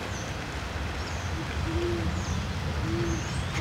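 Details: Great Horned Owl in a Cottonwood in Forest Park, St. Louis, Missouri, at night on March 29, 2013, as the female retrieves a cached Eastern Cottontail; an owl hoots a few soft, deep, even hoots about a second apart over a steady low rumble.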